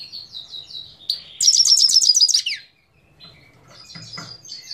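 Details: Singing Himalayan goldfinch, Parachinar, Pakistan, 2022: brief high chatter, then a loud rapid string of sharp repeated notes lasting over a second, followed by softer scattered twitters.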